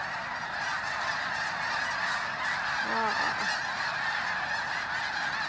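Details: Snow geese arriving in their thousands before sunrise at Bosque del Apache, New Mexico, on a freezing morning, captured by phone; a thick chorus of overlapping honks, interrupted briefly by a low voice near the middle.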